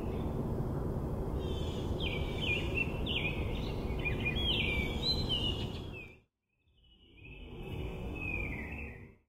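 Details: Baltimore oriole (Icterus galbula) in a meadow on 18 June 2024, giving a quick run of rich, slurred whistled notes, then a longer falling whistle, over steady low rumbling noise.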